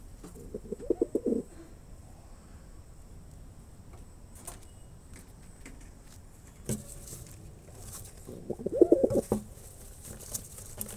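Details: Male pigeon performing; two short throbbing coo bouts, one near the start and one near the end, separated by a quiet stretch with faint knocks and rustles.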